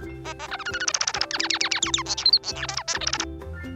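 A Bengalese finch sings a rapid, chattering run of short, scratchy notes, some rising and some falling, over soft steady background music.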